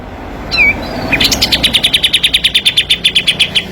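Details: Kapas tembak singing in a tight 'tembakan' burst style, meant as master training song and lure for quiet birds: a short high rising whistle, then a rapid, evenly repeated run of sharp high chips for over two seconds.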